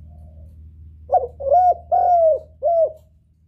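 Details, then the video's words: Spotted dove lure call to attract a male: four clear, mellow coos in quick succession, the third longest and steadiest, over a low steady hum. "Tiếng chim cu gáy gọi kích bổi, gọi trống"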